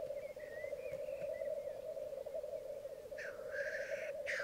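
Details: Black grouse lekking on a bog in Mykland one May 2022 morning, twelve males and two females present: steady low bubbling rookooing throughout, thin whistled notes early, then two harsh hissing sneezes near the end.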